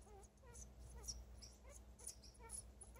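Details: Pet female African grey parrot, happy and wanting affection, giving quiet soft rising whimper-like notes about twice a second over a low steady hum.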